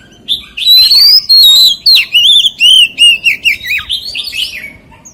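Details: A white-rumped shama's forest-voice song begins with a soft note, then a bright rising whistle followed by a rapid series of loud, looping, whistled syllables, about three per second, that taper off toward the end.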